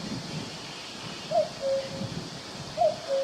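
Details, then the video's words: Cuckoo in a forest giving two paired calls, a quick higher syllable sliding into a longer lower tone, about one and a half seconds apart, over gentle leaf rustle and faint wind. "Cuckoo sound effect"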